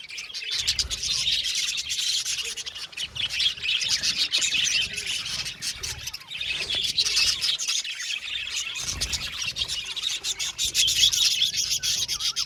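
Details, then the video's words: Budgie colony in an aviary, a long stretch of busy overlapping chirps, twitters and warbles rising and falling in intensity, with brief quieter lulls and low rumbling in the background. "Beautiful Budgies chirping sound | Budgies talking sound | budgies parakeet sounds"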